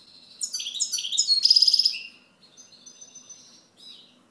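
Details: A European goldfinch sings a bright, rapid twittering phrase with a stuttering trill, then softer thin whistled notes and a final brief chirp.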